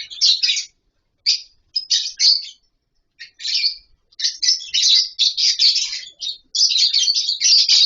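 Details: A captive lovebird colony with nesting boxes and mud bowls gives scattered sharp chirps that build into a continuous shrill, overlapping chatter toward the end.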